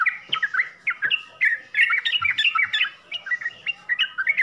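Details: Sooty-headed bulbul with a 'full isian' song: short clear whistled and chirped notes in separate bursts, varied in pitch, a faint low hum behind.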